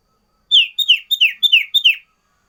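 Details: Sooty-headed bulbul delivering five bright paired notes in an even series, each a short high whistle sliding straight into a downward slur, loud and crisp in a quiet setting.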